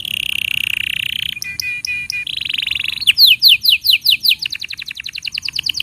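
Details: Canary tutor song for training young canaries and prompting silent ones to sing: a long steady buzzy roll, then short clipped notes, a rasping roll, and a fast series of bright descending whistled slurs repeated several times per second.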